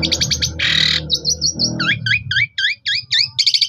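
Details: Lure song of an Asian pied starling, meant to set silent starlings singing again, recorded by phone: quick high chirps, a harsh buzzy burst, then a series of repeated whistled upward-hooked notes about twice a second, with faint low hum beneath.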